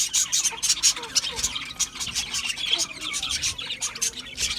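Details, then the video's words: Budgerigars chirping as a flock: dense, rapid, overlapping chatter of short buzzy and squeaky notes, with scattered high sharp chirps, running continuously without pause. "Budgie Parrots Budgie Parrots Chirping sounds"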